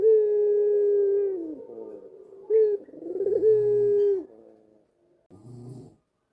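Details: A white ringneck dove with a black neck ring gives its melodious cooing, meant to set home doves cooing too: a long level coo, a brief note, a rolling trill into a second sustained coo, then soft low grumbles.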